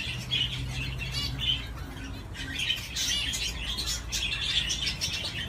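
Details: Budgerigar on a swing gives rapid high chatter mixed with buzzy notes and short chirps, with a faint low hum beneath.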